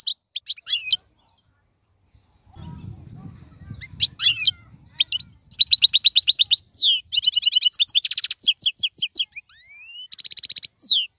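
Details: European goldfinch, wild bird from the 2022 season, giving scattered high twitters, a pause with low rumbling, then long runs of rapid metallic trills and rising whistled slurs.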